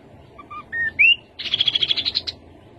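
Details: Rufous-capped babbler: a few short flat whistles, then a rising slurred whistle, followed by a quick series of about ten bright piping notes that climb slightly toward the end.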